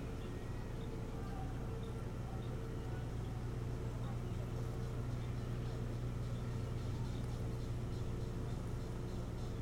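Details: Steady low engine or machinery hum fills the recording, with a faint mechanical drone and no animal voice heard.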